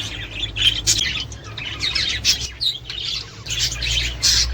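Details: Budgerigars in a recording used to encourage mating, breeding and egg-laying: short bright chirps and squawky twitters come in bursts with brief pauses, over a low background hum, apparently indoors.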